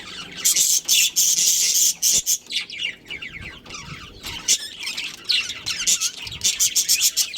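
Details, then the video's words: Breeding pair of budgerigars in a colony chattering: dense rapid high chirps and scratchy warbles, some runs of quick repeated notes, the calling almost continuous. "Cute Budgies Chirping Sounds"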